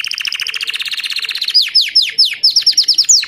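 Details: White crested Belgian canary singing, opening with a fast run of evenly repeated short double-toned notes, then breaking into a series of sharp downward-sweeping whistled notes, loud and clean with no other sounds.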